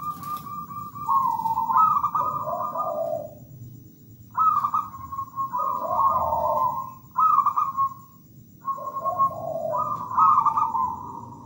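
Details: Zebra dove, a local bird, in full melodious song: about four phrases of clipped, staccato higher coos falling into softer, burry low trills, separated by short pauses, over a faint steady low rumble.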